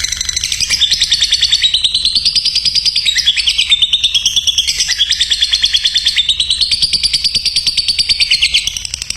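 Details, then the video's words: Lovebird in ngekek style, a master recording for training champion birds: one long, unbroken, rapid chattering trill lasting about nine seconds, rising and falling slightly in pitch. "mencetak love bird juara||masteran burung"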